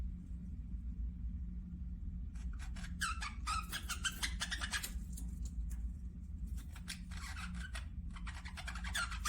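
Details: Budgerigars at a little distance produce clusters of quick, raspy chirps and warbles in short bursts separated by pauses, over a steady low hum.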